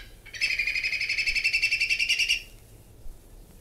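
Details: Whistling Kite, called Whistling Eagle, from Australia giving a rapid staccato run of quavering whistled notes for about two seconds, steady and slightly rising, then quiet.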